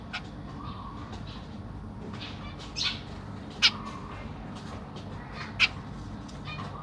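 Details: Zebra finches, a family of a Black Cheek pair with juveniles and newly fledged babies being fed in a big cage, give sharp, nasal, high calls spaced a second or two apart, with softer chirps over a low steady hum.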